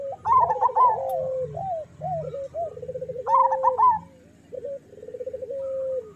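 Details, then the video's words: Local zebra doves used as a master recording for training lazy doves to sing: soft rolling cooing trills near mid pitch, broken by louder bursts of rapid, stuttering higher coos at about 0.3 and 3.3 seconds, with overlapping birds. "Perkutut lokal gacor Suara Masteran Burung Perkutut Paling Ampuh"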